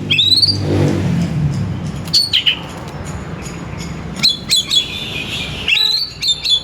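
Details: Oriental magpie-robin song used to lure and stimulate other magpie-robins to sing: after low rumbling noise at the start, high whistled notes come in short bursts, including sliding whistles and a sustained warbled phrase.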